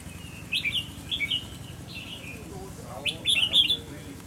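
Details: Red-whiskered bulbul being tested for its temperament, giving short whistled, warbling phrases in two bursts separated by a pause, with faint background noise.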